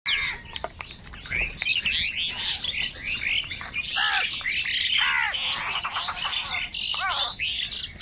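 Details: Huge numbers of angry crows fighting for food, a dense, continuous chorus of harsh, overlapping cawing and crying calls, many arched and nasal, tumbling over one another at a fast, irregular pace and staying loud throughout.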